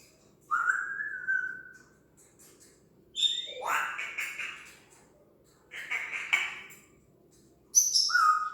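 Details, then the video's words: Talking parrot imitating sound effects: a long level whistle, then a loud rough rising swoosh, a harsh noisy burst after a gap, and finally bright chirpy whistles with a rasping note. "Parrot talks with hilarious sound effects"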